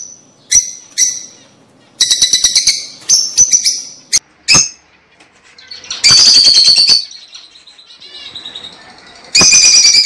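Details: Lovebird song for stimulating breeding: scattered high chirps and quick chirp runs, then loud harsh buzzy chattering bursts with softer twittering between.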